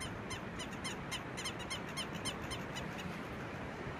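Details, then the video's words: Southern lapwings, a pair chasing off an intruding bird, give a series of harsh repeated calls, somewhat distant, against steady low wind or traffic-like rumble. "Southern Lapwing"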